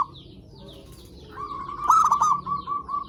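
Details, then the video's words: Zebra dove from a lure recording aimed at other zebra doves: a rising, stuttered cooing phrase runs into a trailing series of short even coos, with faint chirps from other birds before it. "Suara Perkutut Pikat Gacor AMPUH pancingan SEMUA BURUNG PERKUTUT BAHAN AGAR SEMAKIN BUNYI GACOR"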